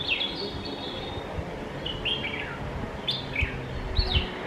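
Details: Red-whiskered bulbul calling during feeding, recorded close up; scattered sweet, slurred chirps that dip and rise, spaced irregularly over a low, continuous noise.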